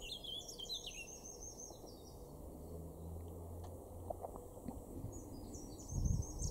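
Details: Male Eurasian blackcap singing in a garden in Weener, East Frisia, in north-western Germany, April 2024: a quick warbled phrase of high twittering notes, a pause, then another high phrase, over a steady low rumble.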